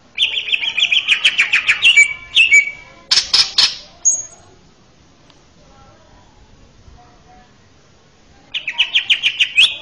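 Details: Male greater green leafbird singing a master song for training young birds: rapid buzzy trilled notes around two seconds, a burst of harsh chatter, a long pause, then the buzzy trill resumes.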